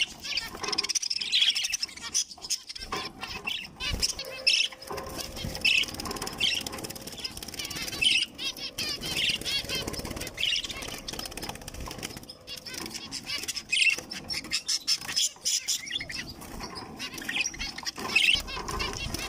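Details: Young zebra finches give short, nasal calls every second or two amid fluttering wings.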